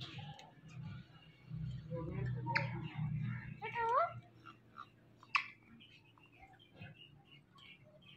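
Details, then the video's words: A pet Indian ringneck (rose-ringed) parakeet indoors mimics speech in short, tonal word-like bursts with rising and falling inflections, mixed with a few sharp clicks over a low indoor hum. "Talking Indian Ringneck Parrot"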